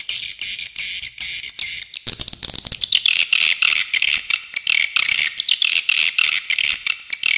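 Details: Swiftlet calls in an original swiftlet sound recording: buzzy, rattling chirps in rapid bursts, then a dense, sharp twittering chorus of overlapping callers with brief clicks.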